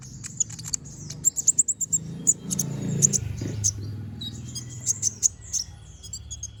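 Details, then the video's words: Brown-throated sunbird (kolibri ninja) in energetic ngobra song with sharp shots, recorded as a master for other birds: scattered high squeaky chips and short trills over a steady low hum. "Pancingan Suara Burung Konin Gacor Ngobra Tembakan Tajam"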